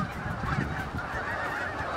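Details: Many Canada geese (Branta canadensis) on a river in Canada give a dense, overlapping chorus of loud, nasal honks carrying on steadily as they are slowly approached, before they fly away.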